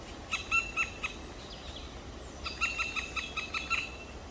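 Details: Two black woodpecker chicks in their nest on 23 May 2023 at 19:43 give rapid series of harsh, nasal, rasping notes, about five per second, a short burst then a longer run after a pause.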